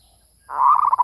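Zebra dove giving a soft, mid-pitched rolling coo that breaks into quick stuttering notes at the end, lasting about half a second in otherwise quiet surroundings.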